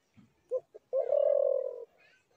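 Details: Spotted dove giving two short soft notes and then a drawn-out, low, vibrating coo of about one second, in an otherwise quiet setting.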